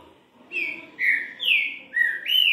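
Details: Green-winged saltator (Saltator similis) singing a three-note song: rich, full whistled notes, several falling and rising slurs in quick succession, with no other sounds heard.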